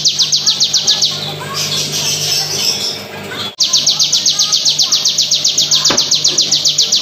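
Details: Bar-winged prinia pouring out dense rapid bursts without pause, lightly effect-processed: loud, evenly spaced high metallic ticks about four a second, a brief noisy break midway, then the same steady ticking continues over a faint low hum.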